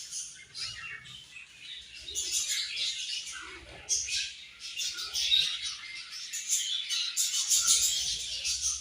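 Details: Morning feed among budgerigars, a lively jumble of rapid high chirps and squeaky warbling notes that rises and falls in loudness, with faint low rumbling beneath.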